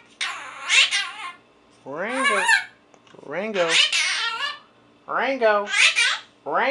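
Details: A 4-month-old pet Quaker (monk) parakeet in its cage talks in harsh, buzzy, speech-like phrases, saying its own name and imitating words.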